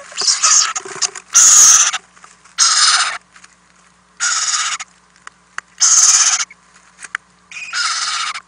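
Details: Overnight in an owl nest house, owlets being fed on 4-10-2018, nest camera: repeated rasping hisses of about half a second, six or seven in the span, with small scraping and shuffling sounds between.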